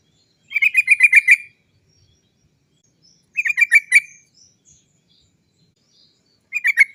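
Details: Rolled 'cok cok cok' trill of a lively sooty-headed bulbul, played as a lure so trucuk birds sing quickly: three bursts of rapid, even, chattering notes, each lasting about a second, separated by short silences.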